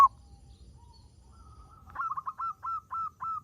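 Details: Local zebra dove in full voice, used to prompt other doves to sing: a faint rising note, then a series of short, clipped hooting notes repeated about every third of a second over a low background rumble.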